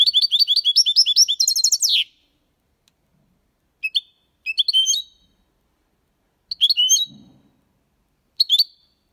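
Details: European goldfinch singing clean copia Málaga style song, meant for stimulating young birds to learn; opens with two seconds of rapid, sparkling high twittered trills, then short bright chirped phrases in separate bursts.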